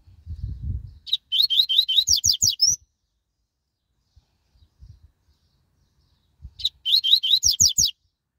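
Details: Double-collared seedeater delivering two fast song phrases, each a dense series of sharp, high, chirped notes turning into upward-sweeping whistles, separated by several seconds of near silence with faint low taps.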